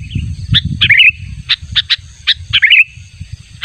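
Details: Sooty-headed bulbul calling as a lure for a rival: a few sharp chips and two bubbling warbled phrases partly over loud low rumbling noise.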